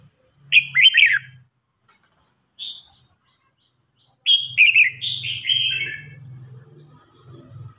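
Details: Contest singing by red-whiskered bulbuls, an older wild-caught bird challenging a young bird. Lively warbled phrases, one long and cascading, play over a low steady hum.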